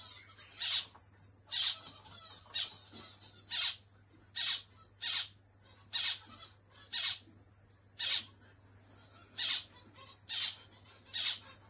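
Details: Pet zebra finch repeating short, nasal, buzzy calls roughly once a second for about twelve seconds, some quicker softer chatter early on, steady high whine in the background.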